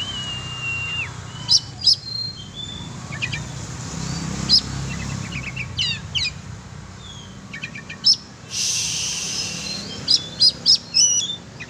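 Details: Oriental magpie-robin (kacer) being exercised in the open: scattered sharp chirps and clicks, a few thin whistled slurs, loose bursts of notes around eight and ten seconds, and one brief hissing noise burst midway.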